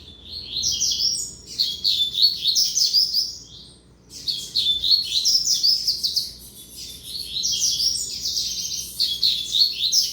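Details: Three long bursts of rapid, high, scratchy warbling from a young male double-collared seedeater, the son of a tournament singer, with brief silent gaps between phrases and a low hum behind.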